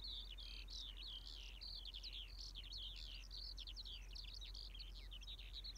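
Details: Skylark in song: an unbroken, high-pitched stream of quick warbled and trilled notes, each twisting up and down, poured out without a break over a steady low background rumble.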